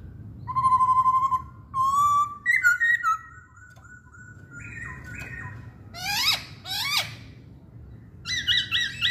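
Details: A Chinese hwamei sings long steady whistles stepping up and down in pitch, followed by harsh downslurred rasps and a quick series of high, rolling warbled notes.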